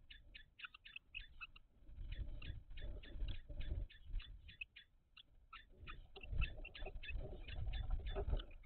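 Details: Common kestrel calls in a nest box during a food transfer, 17 May 2023: rapid chattering series of sharp, scratchy notes, briefly pausing mid-way, over steady low thumps and rustling in the box.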